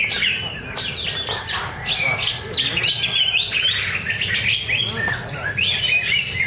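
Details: Greater green leafbird (cucak ijo) singing at a practice bird-singing contest held on a Thursday at Danau Bumi Restu, Cikunir. Fast, dense run of chirps and slurred whistles with many quick rising and falling notes, over a steady low hum.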